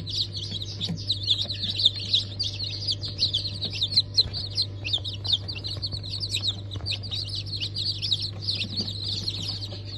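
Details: A crowded chorus of newly hatched chicks (Cream Legbar, Sultan, Maran Couper) from a 15 March 2024 hatch: continuous overlapping high cheeps, with a steady low hum and faint knocks underneath.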